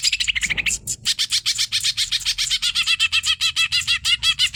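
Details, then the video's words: Cucak ijo (greater green leafbird), hyper training song: rapid chattering notes broken by a brief rough burst, then steady repeated phrases of harsh buzz paired with a clear curved whistle, roughly one and a half per second. "CUCAK IJO HYPER GA ADA OBAT GILA"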